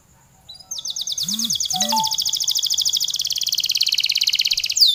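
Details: Canary in energetic long song: after a quiet start, a dense high trill builds and rolls on for several seconds at a steady rapid pace, with a few low rising and falling tones underneath early on.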